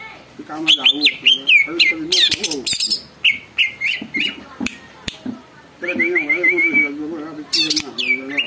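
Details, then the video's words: Greater green leafbird in full song that provokes other leafbirds to answer and become agitated; dense run of bright whistles, trills and harsh chattering bursts, with a long wavering whistled phrase near the end, over a man talking. "cucak ijo gacor bikin burung lain ikut BUNYI dan EMOSI"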